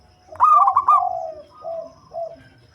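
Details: Deep-voiced local zebra dove used for luring birds, delivering one phrase: a quick vibrating, stuttered coo that slides into two or three mellow lower hoots, with quiet background.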